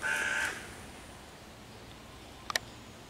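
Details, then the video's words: A single harsh caw from a hooded crow harassing five young raccoons in a tree, June 2023, followed by silence and a couple of sharp clicks. "wrona która ich prześladuje w sąsiedztwie"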